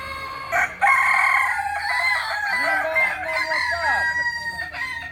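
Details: Purebred Kokok Balenggek rooster from Solok, West Sumatra, crowing: a long harmonic crow broken into many quick stepped syllables, with a second lower, overlapping crowing voice in the middle.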